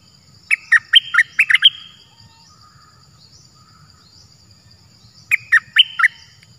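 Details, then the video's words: A wild cream-vented bulbul, perhaps an escaped bird, lured with a ground-placed decoy cage, gives two quick bursts of bubbly, chirping notes a few seconds apart, over a steady high insect whine and a low rumble. "Burung merbah lekir gacorbahanan"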